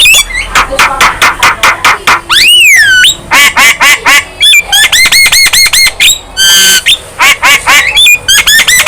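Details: Young Javan myna singing hard with head-bobbing, a song claimed to make other birds aggressive; strings of loud, nasal, evenly repeated notes, a long arching whistle, then rapid series of ringing, bouncing calls.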